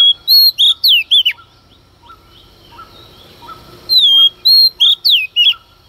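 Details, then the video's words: Early-morning song of a female Oriental magpie-robin provoking males: two bursts of loud whistles and twisting slurred notes at the start and end, separated by a stretch of soft, scattered chirps. "Choè than mái hót kích trống hót căng sáng sớm"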